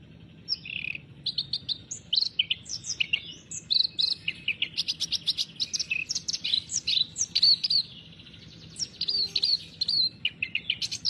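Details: Sooty-headed bulbul (kerak basi) in energetic gacor song, a continuous chatter of quick bright chirps, slurred whistles and short buzzy notes tumbling over one another for about eleven seconds, with a soft low hum beneath.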